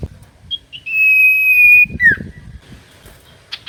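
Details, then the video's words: Common iora song used to prompt quiet birds to sing: two short lead-in notes, then a clear steady whistle held nearly a second, dropping into a sharp downslurred note, amid low rumbling noise. "Pancingan Cipoh Gacor‼️Paling Manjur Burung Cipoh Malas Bunyi Langsung Nyaut"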